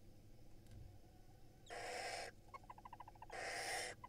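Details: Barn owl nestlings in Israel, spring 2022, begging while being fed by their mother. Two rasping, hissing screeches are separated by a quick series of soft rhythmic clicks.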